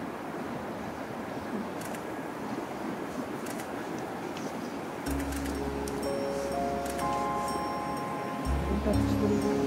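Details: Outdoor traffic hum gives way to gentle music with sustained tones and a low bass pulse, plus a few sharp taps. No animal call is clear.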